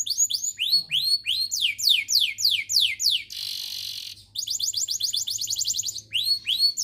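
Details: Canary song played to prompt other canaries to sing, built from rising and falling whistled phrases repeated quickly, broken by a second of harsh broadband rasp, then a fast trill and upswept whistles; steady low hum.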